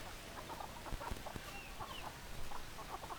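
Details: Hens cluck in a scattered series of short, clipped notes with a few brief rising squeaks among them. A steady low rumble of background noise runs underneath.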